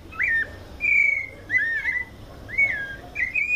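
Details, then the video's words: Close white-necked thrush, São Paulo state, Brazil, giving its mateiro song: bright slurred whistles, some rising and some falling, in quick succession with brief gaps. "Sabia coleira canto mateiro SP"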